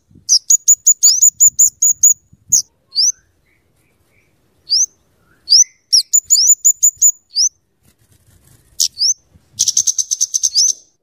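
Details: Very high scarlet-headed flowerpecker song for luring and tutoring birds: quick chip strings about two and a half per second alternating with single upslurred whistles, closing with a fast rattling burst.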